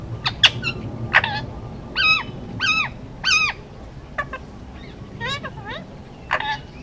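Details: Hand-raised male Indian ringneck parakeet, almost two years old, on Oahu, Hawaii, making a run of harsh, stacked, arching squawks, about a dozen in seven seconds, mixed with short sharp clicks.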